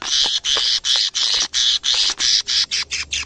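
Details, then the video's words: Caged canary in vigorous song, reacting to its first sight of a camera: harsh buzzy phrases repeated about three times per second, steady and loud throughout. "kenari gacor bikin geleng geleng kepala reaksi kenari saat pertama kali lihat camera dalam sangkar"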